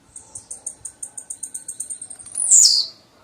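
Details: A blue-black grassquit gives an accelerating row of about fifteen high ticking notes, then a loud rasping buzz that drops steeply in pitch.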